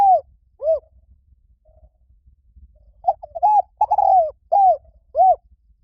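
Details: Spotted dove cooing: two short arched coos, a pause, then a close cluster of five mellow, mid-pitched coos, each rising then dropping, with faint low thumps underneath.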